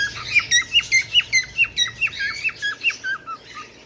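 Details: Bengalese finch producing a clear, regular series of squeaky down-slurred notes, about three per second, gradually fading toward the end.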